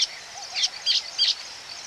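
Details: Close-up Baya weaver calls at a colony, with three short high buzzy chirps spaced about a third of a second apart, faint twittering underneath.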